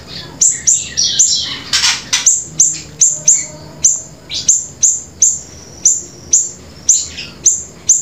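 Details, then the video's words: Grey-breasted prinia in steady 'gacor' song for luring and tutoring: a fast series of sharp, high, falling chips, about two per second, with a brief rough burst early on and a soft low hum behind. "flamboyan gacor"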